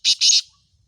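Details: Black francolin giving two harsh, rasping bursts in quick succession, the second longer, then quiet.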